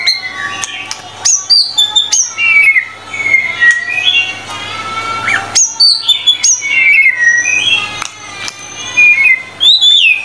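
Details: White-rumped shama (murai batu) singing vigorously in a tutor recording of 25 song phrases: bright whistled notes, sharp up-slurs and rapid chirpy bursts, with short pauses between phrases.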